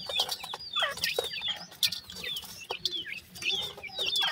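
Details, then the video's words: A group of black francolin chicks, male and female, utters bright high chirps and short sliding whistles in restless overlapping series, with rustling and clicks beneath. "partridge chicks ki male female ki difrent awaz,voice baby titer"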